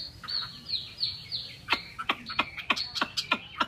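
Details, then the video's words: Chinese hwamei, kept as a cage bird in Vietnam, giving slurred whistles followed by a rapid series of sharp downward-snapping notes. "chim họa mi"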